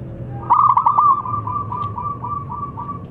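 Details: Loud local zebra dove used as a lure: a fast stuttering coo flowing into a long series of evenly spaced softer coo notes on one pitch, over low background hum.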